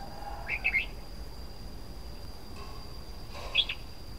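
A red-whiskered bulbul gives two short, bright phrases of quick warbled notes, about three seconds apart, over a faint steady high hum and low background rumble.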